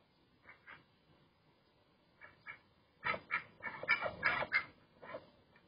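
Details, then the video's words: Duck giving nasal quacks, a few spaced calls at first, then a dense burst of rapid, overlapping harsh quacks in the middle before tapering to single calls. "Relaxing Duck Sound"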